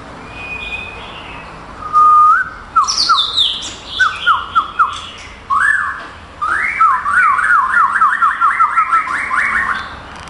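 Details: Male white-rumped shama, a competition bird that took third place at a contest in Kuala Lumpur on 22 April 2012 and is kept for breeding, sings clear whistled phrases: a high sweeping note, slurred whistles, then a rapid run of about ten rising-falling notes.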